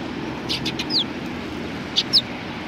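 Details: Sparrows at a Tenmangu shrine, Japan, 31 March 2020, give a few soft chirps and two clear, high, down-slurred calls about a second apart, with light background noise.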